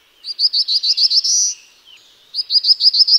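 Black-throated blue warbler: a run of six or seven quick, high, slightly buzzy notes ending in a longer drawn-out buzz. A second run follows a short pause.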